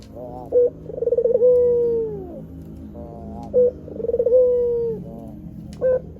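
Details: Repeated coos of a white Barbary dove, recorded as a lure for catching wild doves. Each phrase is a short clipped note, then a pulsing roll that becomes a drawn-out falling coo, repeated about every three seconds.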